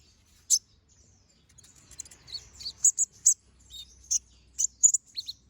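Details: Brown-throated sunbird singing with sharp, shot-like notes, recorded to train other birds: one loud high chip, a quiet pause, then scattered bright chirps and short twittered phrases in a quiet setting.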